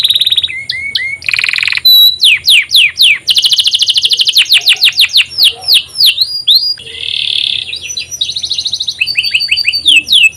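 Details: Canary master song used to prompt other canaries to sing: loud varied song of rapid sweeping whistles, fast trills and buzzy rolls in changing phrases, with faint low background hum.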